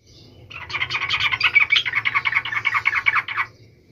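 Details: Sooty-headed bulbul in full song, kept to provoke other bulbuls into answering angrily: a dense three-second run of rapid, bubbly chattering notes between low and high pitch, about three per second, over faint low room hum.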